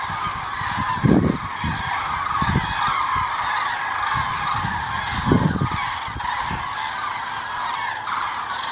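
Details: A migrating flock of common cranes heading south on 9 November 2014 gives a steady chorus of rolling, trumpeting calls, with a few louder, nearer bugles standing out every few seconds.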